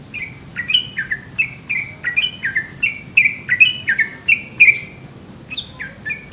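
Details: Yellow-vented bulbul (trucukan) in Indonesia singing a long, rolling 'ropel' song at night: a brisk run of bubbly, slurred whistled notes, each dipping or stepping down, poured out in quick irregular succession.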